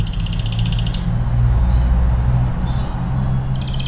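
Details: Canary singing for song training: short buzzy rattles alternate with brief rising whistled notes, spaced about a second apart, over a loud steady low hum.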